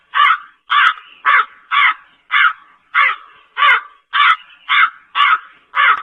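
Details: A Slender-billed crow (Corvus enca) gives a steady run of eleven harsh, hoarse caws, about two each second, with nothing else heard.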